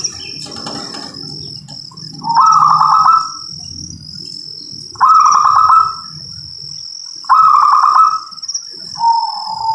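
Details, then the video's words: Local zebra dove giving three high, stuttering trilled coos about every two and a half seconds, then a lower purr, over a steady shrill insect-like whine and low background noise. "Suara perkutut lokal"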